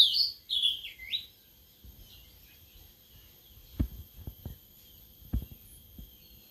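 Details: A caged Sulingan laut (Tledekan laut), kept for only three days, gives a brief run of clear, slurred whistles in the first second, then falls quiet. A few dull knocks follow.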